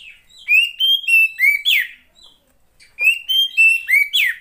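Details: A female Oriental magpie-robin (Copsychus saularis), used to stimulate lazy males into song, gives two bursts of five clear, whistled, slurred notes, each phrase ending in a brighter rising note. Quiet otherwise.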